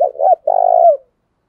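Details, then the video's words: Spotted dove, a lure bird cooing to draw wild doves: a clear, low hollow coo in two parts, a short rounded note then a longer, even, slightly wavering coo that fades at the end. "Tiếng chim cu gáy thúc bảo đảm bổi nghe gáy liền, chim cu gáy mồi đảo bài liên tục"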